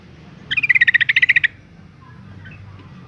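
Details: Female yellow-vented bulbul in breeding condition calling males: a single fast rattling trill of about a dozen even, bright notes lasting one second, followed by quiet with low hum.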